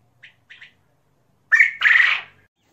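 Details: Ukrainian common quail of a fighting type: two faint short notes, then a loud, harsh, rasping double call near the end, with quiet background.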